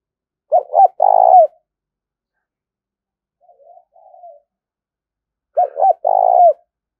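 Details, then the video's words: A spotted dove cooing, played to stimulate caged doves to coo and to train decoy birds: a phrase of two quick stuttered notes and a long hoarse coo, with a soft faint coo between phrases. "tiếng cu gáy kích bổi nhanh nổi xiêng gáy và tập mồi"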